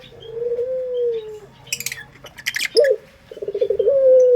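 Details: Local Indonesian Barbary dove of the prized pelung type, used as a lure. It gives a long, level, hollow coo, then a break with rattling noise bursts, then a rapid pulsed trill sliding into another drawn-out coo. Faint small-bird chirps sound behind.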